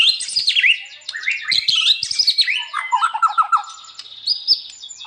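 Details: White-rumped shama in lively song, a master recording for training other shamas: dense, rapid stream of sweeping whistles and chattering notes, then a string of quick lower warbled notes and a high drawn-out whistle.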